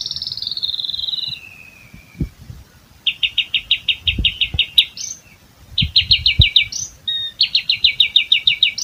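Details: An Asian pied starling, a skilled mimic of other birds, sings: a high descending whistle, then fast rattling trills of repeated notes, several bursts strung together, with a few low thumps underneath.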